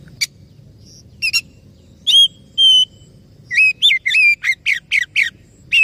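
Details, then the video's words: Lure singing of an Oriental magpie-robin, for triggering song in a bird that is stressed or silent: a few sharp clicks, two long level whistles, then a fast series of looping, warbled whistled notes. "SUARA PANCINGAN _burung kacer macet bunyi / stres"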